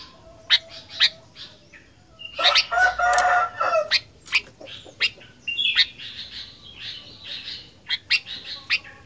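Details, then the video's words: Sooty-headed bulbul in lively fighter song: spaced bright chirps, a loud harsh scratchy burst in the middle, then a rapid run of clipped notes and short whistles. "Kicauan Kutilang Gacor Fighter"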